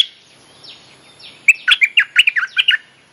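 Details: Bulbul lure call for mate-calling, used to coach young birds: soft falling whistles, then a lively, evenly spaced run of about ten bright chirping notes.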